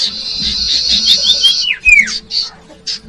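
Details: Common iora song for luring young birds: a steady buzzy trill for over a second, then two quick falling whistles and a few short buzzy bursts.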